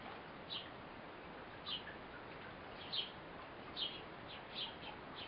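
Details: Eurasian blue tit mother feeding her fledgling, giving faint, thin high chirps, about six short notes at an uneven pace of roughly one per second, over a steady background hiss.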